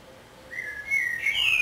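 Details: Common blackbird singing in Budapest on 27 May 2014, filmed from a window hide with a Canon EOS 7D. A fluty whistled phrase starts after a quiet half second, holds a steady note, then climbs into brighter, higher whistles.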